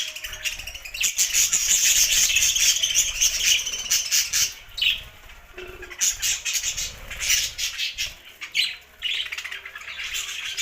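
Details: Budgerigars chirping in a busy, high, scratchy chorus with fluttering wing sounds, loud early on, then breaking into separate bursts of warbles and squawks.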